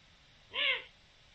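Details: One curved, slightly squealing call by a Eurasian eagle-owl on 7 October 2020, brief and harmonic-rich, with only soft background noise around it.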